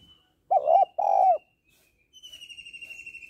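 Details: Female spotted dove calling to excite males: two loud, low, hollow coos in quick succession, then a long, high, trembling whistled note after a short silence.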